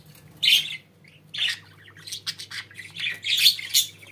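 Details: Pet budgerigars: a loud squawk opens, then a quick string of high chirps, trills and scratchy notes runs on, peaking near the end.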